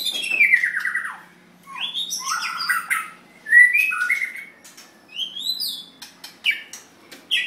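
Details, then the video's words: White-rumped shama, possibly a contest bird, singing a rich, varied string of fluting whistles, slurred notes and sharp high chips, phrases shifting quickly in pitch with brief pauses between. "White Rumped Shama"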